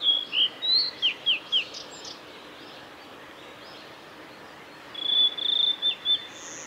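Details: At Lake Miyagase's Kanazawa forest road on 17 May 2020, a male blue-and-white flycatcher delivers a fast, bouncing phrase of high dropping whistles. After a pause, a sustained level whistle ends the second phrase.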